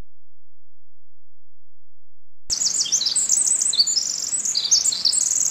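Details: Winter wren at Tryon State Park near Portland, Oregon: after a silent start, a rapid, very high tumbling stream of trills and twittering notes runs on for about three seconds over faint background hiss.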